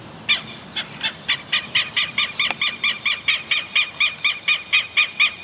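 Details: Southern Lapwing (tero) alarm calling in rural areas and woodlands of Santa Fe, Argentina: a steady series of loud, harsh, nasal screeching notes, about two per second, growing stronger over the clip against faint background noise.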